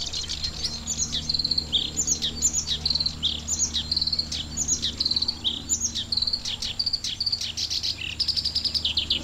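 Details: Black-browed reed warbler singing in June from a wide reedbed at Watarase retarding basin, Japan, likely raising young; rapid, high chattering phrases of sharp chirps and buzzy trills, repeated continuously, with a low steady hum beneath.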